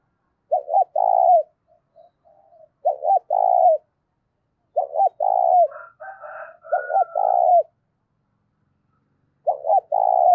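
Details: A loud, clear spotted dove coo meant to rouse decoy birds, with little background noise. Five low phrases of two quick notes and a drawn-out coo, roughly every two seconds, with brief higher whistles from another bird midway.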